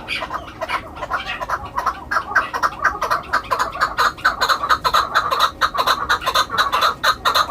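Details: Hunting chukar delivers a steady stream of clucking chuk notes, about two per second, growing denser and louder toward the end.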